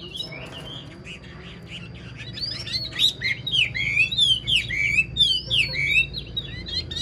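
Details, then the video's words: Chinese hwamei, old and caught in the wild, for sale and said to have an outstanding voice, builds from quiet notes into a loud, rapid series of swooping whistled phrases, about three per second, with bright high ticks. "Chim già rừng chất giọng cực hay"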